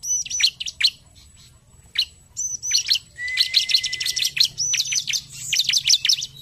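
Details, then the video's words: Bar-winged prinia with lively 'narung' song for stimulating others: spaced shrill falling notes, then a long, rapid chattering sequence of high chips over a steady buzzy tone. "Ciblek gacor narung! sekali putar ciblek langsung bunyi"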